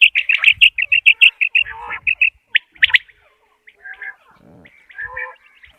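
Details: Quail call used for hunting: a fast run of short, bright, even notes repeated in a steady string. It fades into scattered softer chirps and faint background noise.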